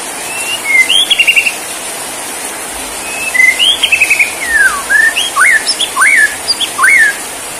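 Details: Borneo white-rumped shama singing while bowing in "sujud" style: trilled whistled phrases, a descending slur, then crisp up-and-down inverted-V whistles repeated roughly twice a second.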